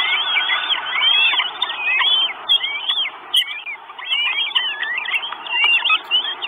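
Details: Begging from four Northern goshawk chicks at an Estonian nest on 1 June 2022, live nest camera: bursts of curved, whistled whining notes sliding up and down, in clusters separated by brief lulls.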